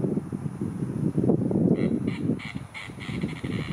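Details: Snakebird on a lakeside branch calling: a dense, low, grinding rattle of rapid clicks, joined midway by brighter harsh overtones.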